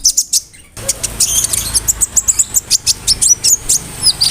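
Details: Vigorously singing konin bird whose song mixes cricket and birdsong imitations, played to tutor magpie-robins, canaries and lovebirds; a fast, steady run of piercing high chirps, several per second, after a brief quiet start.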